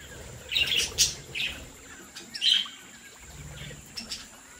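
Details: Budgerigars from a home breeding flock give a cluster of quick, high chirps, then spaced single tweets, with soft low background noise.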